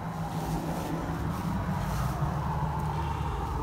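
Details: Steady low engine rumble, like a passing vehicle or boat, with a faint wind hiss and no animal voices.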